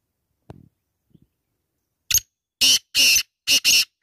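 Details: A black francolin, or kala teetar, gives its call after a few soft low sounds: one sharp note, then four harsh, scratchy notes in a fast grating rhythm.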